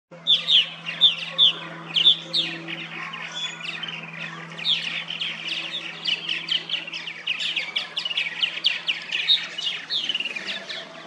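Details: Purple martins at a backyard nesting colony of plastic gourd houses in St. Catharines, Ontario, Canada, in late spring or early summer: dense overlapping chirps and gurgling warbles, rapid bursts of bright chattering notes throughout, with a low steady hum beneath.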